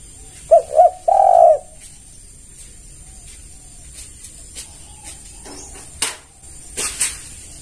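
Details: One spotted dove phrase meant to lure other doves: two short low notes and a held coo, followed by quiet background hiss and scattered clicks.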